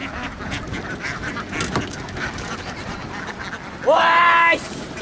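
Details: A flock of laying ducks in Vietnam runs across a field and down onto a boat. One loud, harsh, nasal honking call lasts about half a second, rising briefly at its start. A steady murmur of the flock and outdoor noise fills the background.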